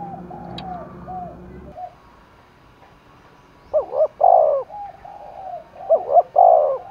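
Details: Spotted dove cooing hard for a contest in the hills of Đồng Nai; after a quiet start with a low rumble, two loud phrases of arching, throaty coos arrive about two seconds apart.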